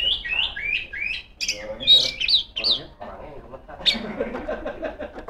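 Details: Singing female Oriental magpie-robin calling out to rivals with ngeplong song: a string of rapid, falling whistled notes, then sharp squeaky bursts and a lower, rougher chatter.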